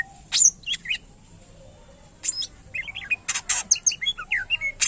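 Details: Greater green leafbird (cucak ijo) giving loud harsh bursts, then a quick string of short warbled notes, over a steady high hiss.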